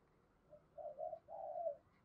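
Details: A decoy spotted dove calling in the thổ voice style, faint against steady background hiss. Brief low coos are followed by a longer, drawn-out rolling coo.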